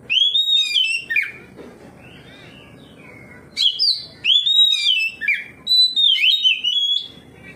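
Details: Oriental magpie-robin singing in full voice, responding to another magpie-robin: loud whistled phrases sliding down, with sharp upward notes and chattery bits, in two bursts separated by a quiet pause with low background murmur.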